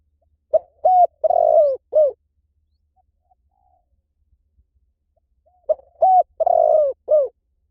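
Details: Low, mellow coos of a spotted dove in two phrases about five seconds apart, each with a brief lead note, a long burry coo and a dropping final note.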